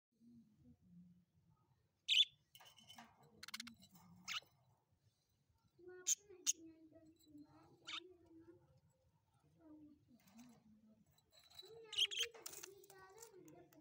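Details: Pet budgerigars chattering, with sharp high chirps and clicks mixed with soft, warbling low murmurs.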